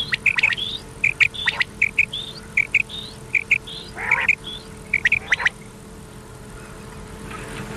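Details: Old cassette lure recording of common quail, played at night to draw in birds. Short, bright paired notes repeat more than once a second, mixed with higher upswept chirps and one brief harsher burst, then fading to hiss.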